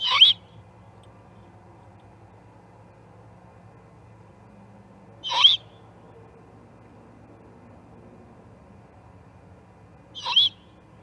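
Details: Juvenile great horned owl calling at the Charlo osprey nest on 21 October 2020: three short, hoarse, hissing screeches spaced about five seconds apart, with quiet background between them.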